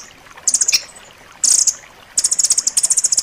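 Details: Rambatan loreng master song for pet birds, sharp and tightly packed: two brief high chattering bursts followed by a longer, evenly pulsed trill of piercing notes.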